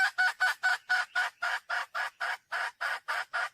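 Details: Red junglefowl hen calling for a mate, a steady series of about fourteen loud, nasal clucking notes repeated four times a second with an even rhythm.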